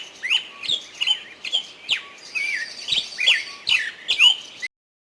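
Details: Birds singing in a forest: a series of bright chirps and short descending whistled notes, mostly high-pitched, repeated roughly every half second over about four and a half seconds, then silence.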